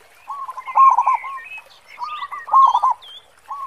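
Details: Zebra dove, local bird in active song with a deep 'khong' tone, delivers two low rolling coo phrases of quick throbbing notes, softer starts building louder, while small birds chirp and twitter higher up.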